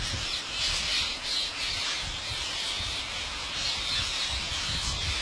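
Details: Huge flock of wild parrots gathered to be fed by a farmer at his house in India, producing an unbroken chorus of shrill, scratchy squawks that swells and dips slightly, over low rumbling noise.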